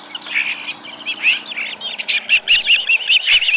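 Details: Osprey at the Dunrovin Ranch nest with a small live fish, July 2018 morning; wavering whistled notes building into a fast, regular train of sharp chirps.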